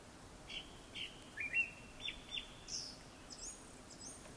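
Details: Japanese thrush singing before sunset: a string of short whistled notes, some doubled, rising into very high thin squeaks at the end; quiet hissy background.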